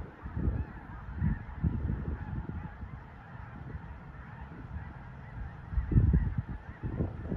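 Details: Snow geese passing through Leigh, Nebraska during migration give a steady massed babble of honking calls. Heavy low wind buffeting surges several times over the din.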